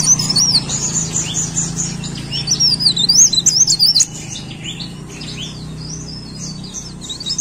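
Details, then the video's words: Lively leaf warbler song, cikrak daun, with quick high zigzag whistles in the first four seconds, then softer scattered chirpy notes, over a low background hum. "CIKRAK DAUN GACOR"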